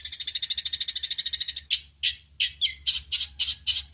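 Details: Eurasian tree sparrow song used as training audio for songbirds: a rapid even trill of high chirps, then separate harsh chirps spaced a few per second.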